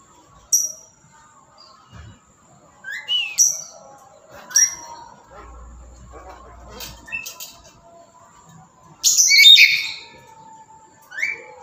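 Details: Loud calls from a tame captive black-capped lory: short sharp rising chips and squawks scattered at irregular intervals, ending in a longer, louder raucous screech burst, with quiet background between calls.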